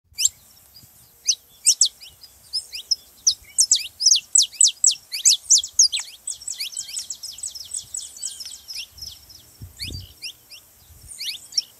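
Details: Saffron finch (canário-da-terra) song played to stimulate canaries to sing: rapid runs of sharp, high, downward-sweeping chips, dense around the middle seconds, with brief pauses and a faint low thump near the end.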